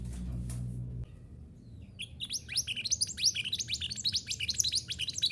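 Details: A minivet, known locally as mantenan gunung, in sound played to train caged birds to sing: a low rumble fades after a second, then dense, rapid, high chirping notes pour out in a lively, continuous stream.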